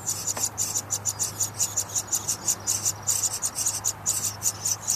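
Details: House wren nestlings beg loudly at feeding time as the parents bring food, giving high, raspy hissing bursts, about five each second, over a faint low hum.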